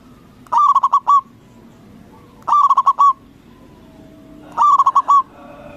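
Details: Strong-voiced local zebra dove used as a lure to trigger rival doves: three loud cooing phrases about two seconds apart, each a fast run of pulsing notes finishing on a longer coo, with soft hum in the background.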